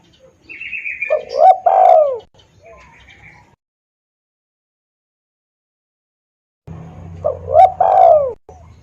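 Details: Spotted dove lure call for hunting wild doves: two cooing phrases with a long falling note, separated by a few seconds of silence, the second over a low steady hum, with a brief high chirp at the start.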